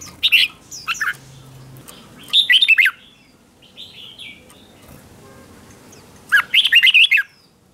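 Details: Red-whiskered bulbul decoy song meant to draw in other bulbuls, in competition-singing style: three bursts of fast, sweet, warbling whistled phrases separated by pauses, with softer chirps in the gaps.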